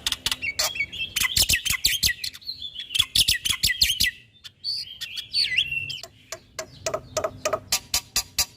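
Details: Black-winged starling (jalak putih) in full, active song, recorded as training material for caged birds: rapid chattering clicks mixed with wavering whistles, a short pause, then a swooping whistle and more scattered sharp clicks.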